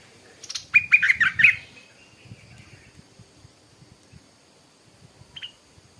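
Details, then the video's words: Morning song of a stripe-throated bulbul: a short, quick burst of chattering, warbled notes, then near silence with a soft low rumble and one faint distant note. "เสียงนกดอกแตงEp.142 กินกาแฟฟังเสียงนกต่อเจ้าตัวเล็กยามเช้า(Stripe-throated Bulbul)"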